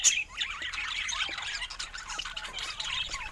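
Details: Many colourful budgerigars chattering together, a dense mass of high, scratchy chirps and squawks with no pauses.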